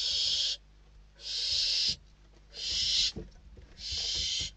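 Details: Inside a Spanish barn owl nest, chicks compete for a food delivery with four broad, hoarse screeching hisses of under a second each, spaced roughly evenly, with light rustling between them.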